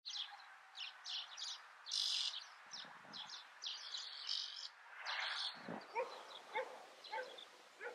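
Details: Great grey shrike (Lanius excubitor koenigi) on Fuerteventura, Canary Islands, Spain, in February gives harsh, scratchy chattering notes, then a run of short, clipped whistled calls repeated about twice a second.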